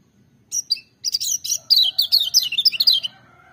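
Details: Lemon-bellied white-eye song, loud and clear, opening with a few separate high chirps before breaking into a rapid twittering run of descending whistled notes; a faint low hum sits underneath.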